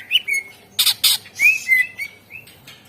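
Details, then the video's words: Greater green leafbird song meant to rouse quiet birds: short whistles, two loud harsh bursts, then drawn-out rising and level whistles fading into softer notes. "Suara Pancingan CuCak Ijo / Murai Ijo Gacor Ampuh Bangat Burung Pancing Burung Yang Macet Suara"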